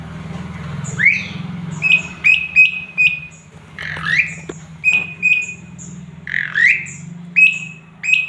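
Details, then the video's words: Male jalak suren, or Asian pied starling, singing a varied master song: harsh squawky notes alternate with clipped, high chirps repeated roughly twice a second, with a low droning hum underneath. "JALAK SUREN GACOR JANTAN FULL ISIAN"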